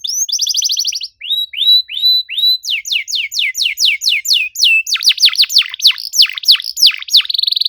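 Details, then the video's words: Canary pouring out 'gacor cuit cuit' song meant to trigger silent canaries: a buzzy trill, rising whistles, a long run of sharp falling chirps about three per second, and deep swooping notes before a final trill. "PANCINGAN KENARI MACET GACOR NEMBAK RAPAT CUIT CUIT"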